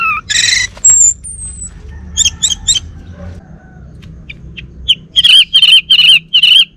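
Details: Caged male orange-headed thrush from Bali giving mixed song: a harsh buzzy note, a thin high whistle, spaced chips, and then a closing run of five evenly repeated rich whistled notes.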